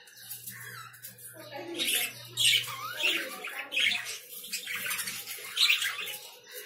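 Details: Lovebirds giving shrill, harsh chirps and squeaks in quick irregular bursts, several sharp notes clustered over a few seconds, with a faint low hum in the background.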